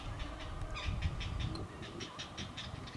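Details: Three great blue heron chicks about a week old, being fed crawfish regurgitated by their mother at the nest, caught on a field camera: rapid dry ticking bursts, about eight per second, over a low rumbling background.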